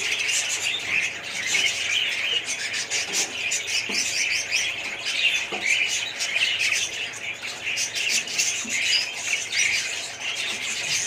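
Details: A budgerigar colony chatters without pause, quick high chirps and squeaky warbles from many birds piling over each other, loudness rising and falling slightly.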